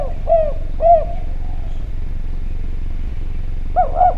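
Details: Javan spotted dove giving soft coos for a lure track: two rounded short coos about half a second apart, a long quiet stretch with a faint drawn note, then a close pair of coos.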